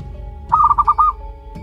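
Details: A one-month-old local zebra dove chick gives a brief run of five quick, soft cooing pulses at a mid pitch over a steady faint hum.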